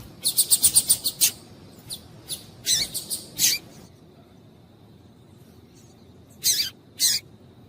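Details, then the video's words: Female double-collared seedeater calls meant to stir males to sing: a quick string of high chips, several scattered doubled notes, a silent stretch, then two final sharp bursts. "Piado de Fêmea de Coleiro para Esquentar Coleiro"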